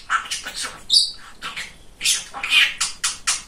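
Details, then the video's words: Chatty pet male budgerigar uttering a handful of speech-like syllables and a clear high whistle, delivered in separate bursts. "Самый Болтливый Попугайчик"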